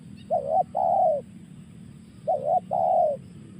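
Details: Spotted dove repeating a two-part coo twice, each a brief wavering note followed by a longer falling one, the pairs about two seconds apart, with steady low background hum.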